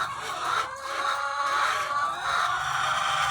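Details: Thousands of egg-laying chickens on a farm, a loud steady roar of cackling and clucking with sustained quavering notes, plus a faint low rumble in the background.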